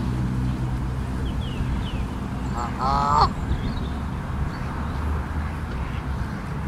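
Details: Goose at a Central Park lake, part of a pair with goslings, uneasy about other geese nearby; a single brief honk with rich harmonics midway, set against steady low traffic-like rumble.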